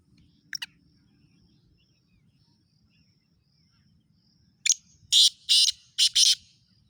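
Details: Black francolin from Khushab calling: after a quiet stretch with one brief harsh note, a loud burst of four to five grating, broadband notes comes in quick succession, the middle ones longest, over faint low rumble.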